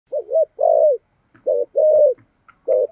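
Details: Spotted dove decoy bird cooing in the thổ voice style, used to provoke wild doves: low, hollow coos, a quick wavering double note followed by a longer drawn-out falling coo, repeated three times with short silent gaps.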